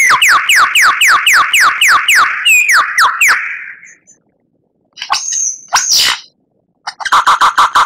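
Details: Oriental magpie-robin training song for captive birds: a steady run of sharp downslurred whistles repeated about four per second, a short pause, high rising notes, then a fast clicking trill.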